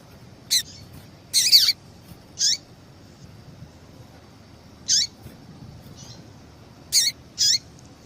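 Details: A female yellow-bellied seedeater calls to rouse a male into song for tournament training. There are six high, downward-sweeping chips, one of them longer and fuller, irregularly spaced, with a faint extra note and low hiss.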